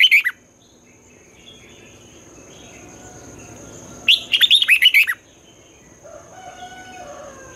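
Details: Morning song of a red-whiskered bulbul in the twisting voice style used to train newly caught birds: a clipped note at the start, then one full phrase of six or seven quick slurred whistles, with a constant high whine behind.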